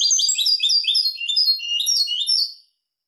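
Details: Continuous bright twittering of a European goldfinch in Malaga song style, recorded for tutoring goldfinch and hybrid chicks; fast, high, liquid notes tumble together for over two seconds before stopping cleanly.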